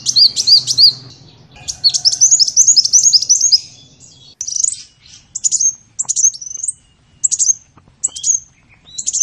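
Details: Sunbird song used to tutor songbirds: jumbled, rapid high twittering phrases at first, then spaced short sharp chirps repeated every second or so, with a low hum early on.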